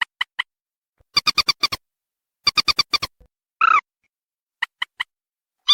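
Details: Waterhen calls used to lure birds: quick runs of five even, sharp notes in two bursts, then one longer lower nasal call, with scattered single notes before and after.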